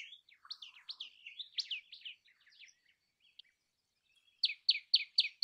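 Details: Common tailorbird first twittering in a varied run of slurred chirps, falling silent for over a second, then switching to a loud, evenly spaced series of sharp repeated notes.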